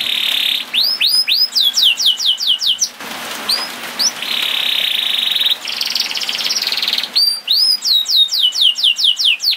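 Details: Canary song with repeated downward-slurred whistles broken by steady trilled passages and a noisy pause, the singing resuming with quick swooping notes at the end.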